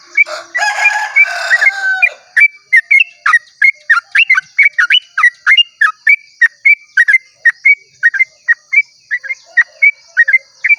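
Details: Sooty-headed bulbul giving a long 'ropel' song at dawn, meant to lure other bulbuls into singing: a crowing rooster opens, then a fast run of short, rich, warbled notes repeated steadily over a steady high insect hum.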